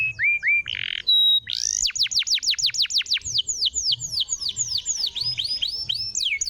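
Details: Canary song played to get a silent canary singing: a few short whistles and a buzzy burst, then a quick cascade of high downward sweeps that slows into a chattering series of curved notes.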